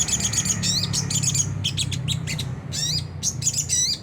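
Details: Sunda whistling thrush in the rough ngriwik kasar style, used as a lure to provoke caged birds into singing: dense bursts of harsh, buzzy, high chattering notes and sharp rising chirps in quick clusters over a steady low hum.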